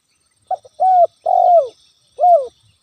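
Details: Spotted dove calling to provoke rivals, a natural lure recording: a short soft note, then three drawn-out, slightly downslurred coos, the longest in the middle, over a faint high hiss.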